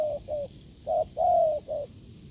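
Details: Wild spotted dove cooing strongly during a decoy test. The end of one phrase, then a full phrase: a short low hoot, a long drawn coo easing downward, and a short closing note. A steady high whine continues behind.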